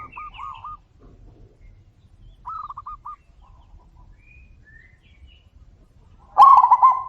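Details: Zebra doves answering one another with loud calls: several faint, distant, rolling coo phrases of quick stuttered notes, then one close, strong, trilled coo near the end over low background rumble.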